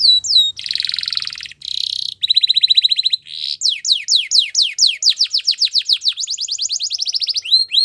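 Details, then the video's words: Belgian canary delivering a loud, varied song: buzzy trills and a rapid rattling tour, followed by a long series of quick descending whistled sweeps and a high rolling trill. "Belgian canary singing"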